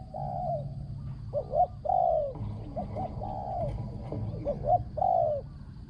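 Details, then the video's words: Spotted dove cooing during decoy trapping, its voice described as small and ringing with a very good coo; quick double notes and longer mellow coos repeat steadily over a low hum. "ต่อนกเขาใหญ่ | เสียงเล็กก้อง คารม หนุนคู คูดีมาก"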